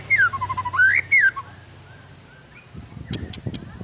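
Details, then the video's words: White-rumped shama, an agitated fighter bird used to provoke other birds, singing loud fluting whistles that swoop down and up over about one and a half seconds, followed by quieter sharp clicks and chips. "PANCINGAN BURUNG MURAI BATU EMOSI DAN FAIGTHER"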